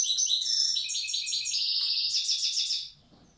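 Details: European goldfinch, a wild bird from Tiaret, delivers an old-style song phrase: a dense, fast stream of ringing, jingling high notes that fades out at the end.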